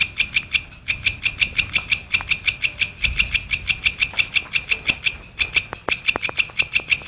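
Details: Brown shrike (cendet or pentet, Lanius cristatus) in a long tutor recording for training songbirds: a fast, even series of harsh clicking notes, several per second, with brief gaps and faint low background rumble.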